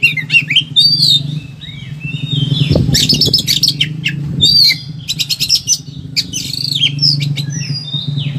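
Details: Excited Oriental magpie-robin singing a long, rich medley, intended as a training and provoking sound for lazy magpie-robins: rising and falling whistles, clustered rapid chips and buzzy bursts, two dull low thuds midway, and continuous low hum behind.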